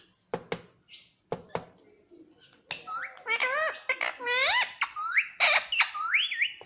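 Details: Indian ringneck parakeet kept as a pet, calling inside a room: a few sharp taps and clicks open, followed by a steady series of bright, upward-curving whistled squawks repeated about once a second.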